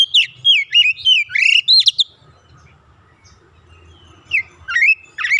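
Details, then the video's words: Young oriental magpie-robin (kacer) in training, singing gacor with mimicked phrases: a rapid run of loud rising and falling whistles in the first two seconds, a quiet gap, then more sharp whistled notes. "terapi proses Kacer bahan langsung gacor bongkar isian"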